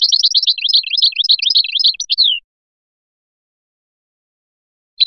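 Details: Feliachi-style song of a Biskra European goldfinch: over two seconds of rapid, liquid twittering and tinkling notes closing on a falling slur, then silence and a brief final chirp.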